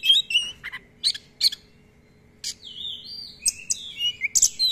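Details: Vigorously singing Oriental magpie-robin (kacer) with long rolling phrases and plentiful filler song, for luring and tutoring: loud sharp chirps in bursts, a short gap, then fluid sliding whistles mixed with clipped notes.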